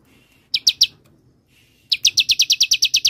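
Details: Bar-winged prinia song used as a lure and master recording for songbirds: three sharp high chirps, a pause, then a rapid run of about eleven evenly spaced downslurred notes.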